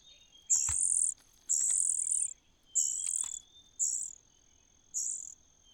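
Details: A young common cuckoo in a host's nest gives five hoarse, high, sizzling begging calls spaced about a second apart. A faint steady whine runs underneath.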